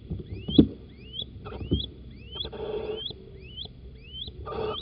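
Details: Male and female little owl inside a nest box at Holten, 4 March 2020 in the morning; thin upward-sweeping squeaks repeated about every half second, with a couple of scratchy noisy bursts and knocks.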